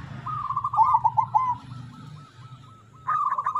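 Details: Crossbred zebra dove song used as a lure so birds will start singing: a fast trilling run of warbled notes, then a fading string of soft, evenly spaced beats, before a loud rolling burst returns at the end.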